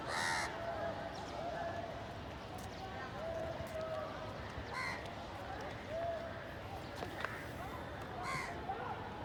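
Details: Crows in a village fighting over food give occasional harsh caws among other thin whistled bird notes and a steady murmur of outdoor noise.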